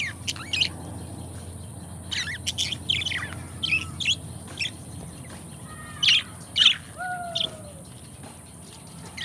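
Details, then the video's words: Two pet budgerigars giving sparse sharp chirps and squawks, spaced irregularly, plus a few drawn-out falling whistled notes near the end. "ASMR Nature 2 Hours of Budgie Sounds: Birds Singing You to Sleep"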